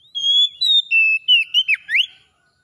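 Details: Oriental magpie-robin song used to restore a bird that has stopped singing: a clear burst of high whistled phrases, steady notes then quick rising and falling slurs, lasting about two seconds in silence.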